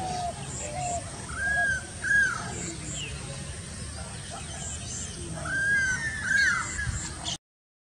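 Stork-billed kingfisher giving two pairs of drawn-out, arched whistled notes a few seconds apart, over a steady hiss of background noise.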